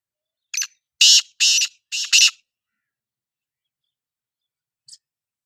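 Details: Black francolin giving one harsh call phrase: five grating, buzzy bursts packed into about two seconds, the middle ones loudest, then silence with one faint short note near the end.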